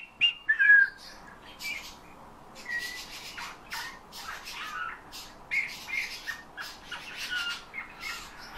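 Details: Eurasian bullfinch, hand-trained to sing by imitating its owner's whistle and also taking nightingale and thrush phrases, gives a few soft piping whistles, then a quiet run of creaky, scratchy twittering notes with brief pauses.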